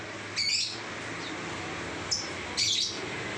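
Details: Shrill lovebird chirps, from a bird singing 'ngacor': a harsh high burst, a brief click-like note, then another strident chirp, against constant low background hiss.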